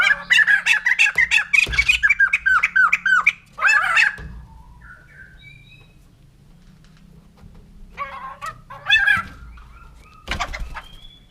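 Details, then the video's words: White-crested laughingthrush, called the laughing bird, singing a rapid burst of loud, ringing, laughing notes for about four seconds. The notes fall and repeat quickly. Shorter outbursts follow after a quiet pause, with a low background hum. "Poksay Jambul Putih || Burung Tertawa"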